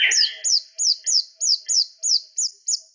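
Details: White-rumped shama giving a series of about ten identical high, falling whistled notes, evenly spaced roughly every third of a second, after a brief lower opening note.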